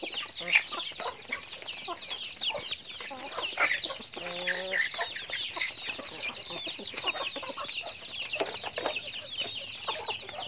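A flock of chickens clucks and chatters continuously, with many overlapping high, short notes and one harmonic squawk near the middle.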